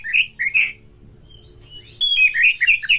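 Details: Oriental magpie-robin (kacer) singing, used as a pancingan to rouse fighting spirit; rich whistled and chattering phrases around mid-high pitch, a burst, a pause, then a rapid run of slurred notes.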